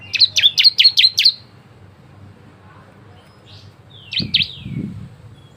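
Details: Bar-winged prinia song for prompting other prinias: an opening string of six fast, sharp high notes, a long pause, then two more chips with a couple of dull low thumps.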